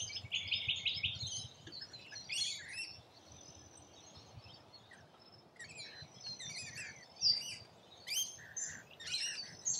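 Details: Rainbow lorikeets at a feeding spot in Australia; several birds give shrill, grating screeches and scratchy chatter in clustered bursts separated by quieter gaps, over a steady low hum.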